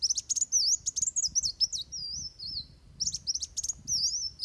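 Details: Van Hasselt's sunbird giving a fighting song used for training birds: high, thin, wavy whistled phrases mixed with rapid sharp chips, in dense bursts with brief pauses.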